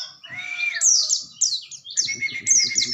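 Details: Oriental white-eye in energetic rolling, bursting song: a lower whistled slur, then rapid high sharp chirps and twittered trills, with soft low rustling noises in the background.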